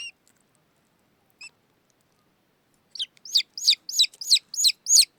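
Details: A young falcon chick raised alongside a Steppe Eagle chick in Afghanistan, around feeding time, gives shrill, high, slightly descending squeals, about three per second in an insistent run, after a couple of faint early notes.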